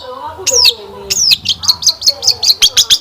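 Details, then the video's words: Long-tailed shrike song used as a lure to get caged shrikes answering and singing: two high sweeping downslurred whistles, then a fast run of about ten sharp, evenly spaced chipping notes, with faint low background hum. "Kicauan Cendet Memukau! Pancingan Cendet Gacor Full Isian Mewah"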